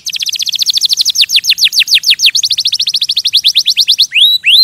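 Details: Canary singing a fast, loud trill of repeated downward-sweeping whistled notes, about three per second, slowing slightly midway, then ending with two rising upslurred notes; no other sounds.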